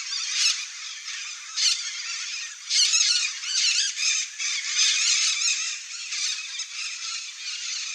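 Red-bellied macaws give a continuous chorus of harsh, squeaky, overlapping screeches, with louder bursts every second or two from several birds calling together.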